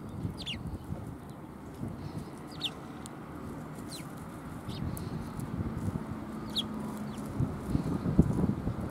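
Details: Sparrows recorded on 20 December 2020, giving short, thin, downward-slurred chirps scattered irregularly through the recording, a few close together, over a steady low rumbling background noise.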